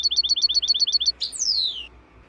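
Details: European goldfinch song played for training cage birds: a fast run of about nine identical short chirps, then a buzzy note and a long clear whistle sliding steadily downward, over a low steady hum.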